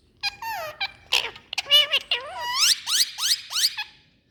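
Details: An Indian parrot's "Mithu" talk comes as a quick sequence of harsh, nasal syllables and upward-sweeping squeaky notes. They are delivered almost continuously over four seconds.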